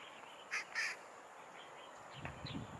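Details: A first-winter Daurian jackdaw (Corvus dauuricus) in Hong Kong on 2 December 2023 gives two short, sharp, slightly nasal 'chak' calls in quick succession, followed by faint background rustling and a low rumble.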